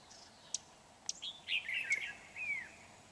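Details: Red-whiskered bulbul serving as a lure bird in trapping, 31 January 2019: a couple of sharp clicks, then a rolling warbled phrase ending in a long falling whistle.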